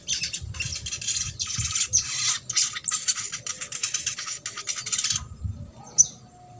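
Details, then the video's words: Trotol-style Ruby-cheeked sunbird song meant to rouse silent birds into singing: an unbroken, very high, scratchy chatter in rapid pulses for about five seconds, then a pause and a single sharp note. "SOGON TROTOL INI MERANGSANG UNTUK SOGON MACET"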